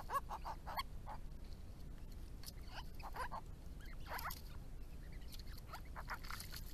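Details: Grey-crowned Babblers in a small group at a backyard pond, calling with scattered quick slurred notes and brief chatters spread over several seconds above a constant low hum.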